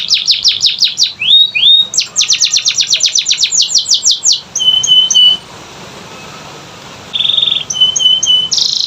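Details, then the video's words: Canary training song meant to set lazy canaries singing: quick series of downward-sweeping notes, a rapid trill, then softer short whistles and a brief buzzy burst after a pause. "Pancingan Kenari Malas Bunyi‼️Dengar Langsung Nyaut Gacor Dor"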